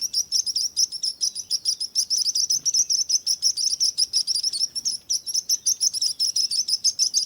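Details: Continuous high-pitched chirping from birds, crowded quick notes forming a steady twittering wall of sound with a thin sparkling upper layer.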